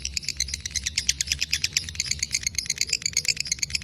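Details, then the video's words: Lovebird, a fighter bird in breeding condition, delivering quick clipped high notes in a rapid stuttering series over a noticeable low rumbling background. "love birds fighter durasi 2menit ngekek panjang"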